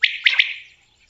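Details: Common quail giving a single quick three-note call: a sharp first note, then a paired second and third, bright and high, fading within about half a second.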